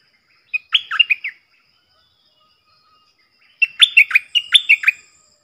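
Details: Bulbul decoy calls from four decoy birds, recorded 31 July 2021: two bursts of rapid, bubbly, chortling notes with quick rising and falling whistles, separated by a three-second pause; otherwise quiet.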